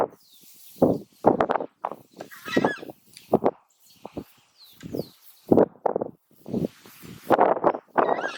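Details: Southern Screamer (Chajá) of central Argentina, a bird of aquatic habitats, rural areas and flooded zones, giving loud, harsh, trumpeting cries in irregular bursts of one or two notes about every half second, possibly two birds calling together.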